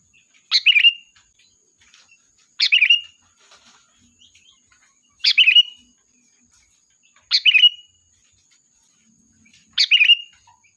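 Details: Sooty-headed bulbul luring its flock: five quick bubbly phrases of tumbling chirps and a slurred whistle, repeated evenly about every two seconds against a quiet background.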